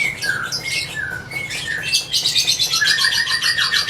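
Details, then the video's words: Lovebird song beginning with short clear whistled slurs, falling and level, then breaking into quick buzzy, scratchy chattering notes that run to the end, over a soft low hum. "Love birds gacor ngekek panjang konslet - Love Birds Sounds Ngekek"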